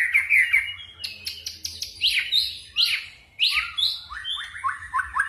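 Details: White-rumped shama in forest-style song with phrase changes: high trilled notes, then loud sweeping whistles and fast descending runs of bright, ringing notes.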